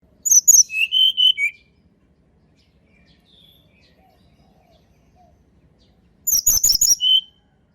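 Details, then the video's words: Sunda robin song, natural wild voice, used to lure birds that rarely sing: a short phrase of high, quick descending whistles, then lower drawn-out whistled notes, heard twice with a quiet gap between. "TLEDEKAN GUNUNG SUARA ASLI ALAM \\ COCOK UNTUK PANCINGAN TLEDEKAN MALAS BUNYI"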